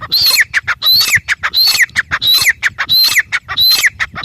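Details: Grey francolin (teetar) calling loudly: six rapid, harsh phrases in just over four seconds, each opening with a high rising whistle and ending in a falling squeaky note, the pattern repeating steadily.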